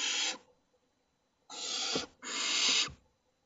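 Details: Barn owl (Tyto alba) at a nest in Théding, France, giving three harsh, hissing screeches, each under a second long, with brief silent gaps between them.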